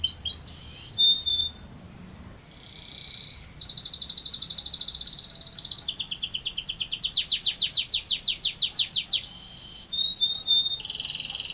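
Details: Canary with a long rolling song, alternating sustained buzzy rolls, clicking rattles and a run of rapid descending notes that grows louder, then more rolls.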